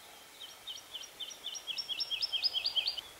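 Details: A woodlark singing in Yorkshire, England: liquid, fluty 'lu-lu-lu' notes, about eighteen in three seconds, speeding up and swelling louder toward the end, over faint background hiss.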